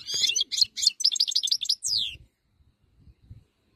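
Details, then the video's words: Wild-type European goldfinch delivering a quick run of bright, tinkling twitters and trills lasting about two seconds. The run closes with a falling slurred note, then quiet with faint low knocks. "chant chardonneret 2022"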